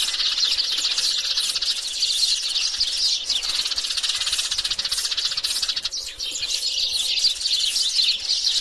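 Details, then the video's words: Many sparrows, males and females, twitter together in a thick, continuous high-pitched chatter with a brief dip near the end. "Đàn chim sẻ giọng hót hay ..Chim sẻ hót líu lo"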